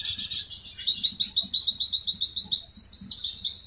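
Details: Mountain white-eye singing a tembakan-style training song: a long, even, rapid trill of high sweeping notes, about four per second, over faint low rumble.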